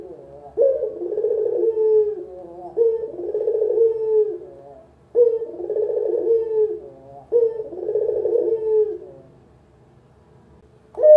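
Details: Spotted dove, local puter, repeating its coo for use as a trapping lure and tutor call: four mellow low phrases each with a sharp opening note and warbling, falling purr, then a quiet pause before another begins.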